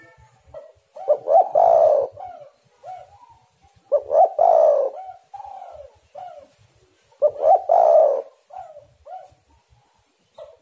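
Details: Lure recording of a spotted dove: three loud cooing phrases about every three seconds, each a stuttered double note rising into a long husky coo, then two or three gentle trailing coos.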